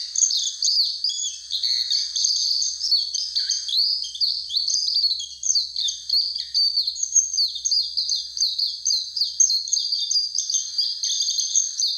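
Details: Warbling white-eye calling near Mount Fuji: a continuous rapid twitter of high, thin chirps and slurred notes, tumbling up and down in quick overlapping phrases for the whole stretch, with no other clear sounds.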